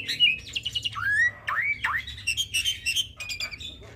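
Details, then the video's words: Crossbred starling singing to tutor pied starlings and other songbirds, here a run of slurred rising whistles and warbled chirps in steady succession. "Jalak Silangan gacor Full Isian Pas Untuk Masteran Jalak Suren dan Burung Kicau lainnya"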